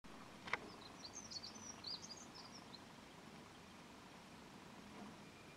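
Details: A singing dunnock gives one quick, high, jangling warble lasting under two seconds, thin and fairly faint over steady hiss, with a single sharp click just before; Dunnock (Prunella modularis), song.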